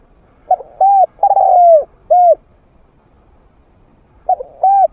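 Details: Medium-voiced trained spotted dove used as a hunting lure to draw wild doves in to fight. A full phrase of clipped note, arched coo, long descending coo and closing coo, then after two seconds a new phrase begins.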